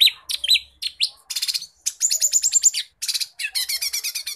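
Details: Lesser green leafbird in a training recording: a rapid, varied, high-pitched, almost continuous song of sharp slurred whistles, chattering trills and quick repeated notes.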